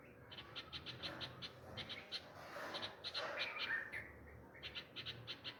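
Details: Nightingale parents crying after losing chicks to a cat, near a tree nest among home pomegranate plants on the chicks' first day out of the nest: rapid sharp high chirps, about three per second, with a rougher lower call midway.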